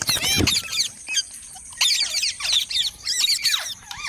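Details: Fast, high-pitched parrot chatter of squeaky, tightly looping notes in rapid bursts, with a low thump at the start.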